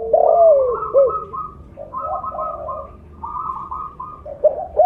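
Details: Loud 'blorok' spotted dove used as a calling lure: one strong falling coo and a short follow-up note open the clip. Softer doves then coo in rolling phrases, and a brief coo returns at the end.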